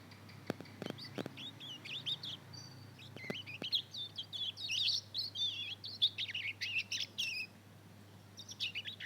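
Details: Young mozken, a two-month-old Mozambique canary × canary hybrid, practising its first song: a rambling run of thin, high twittering and warbled chirps, fast and uneven, opened by a few sharp clicks, with a low steady hum underneath.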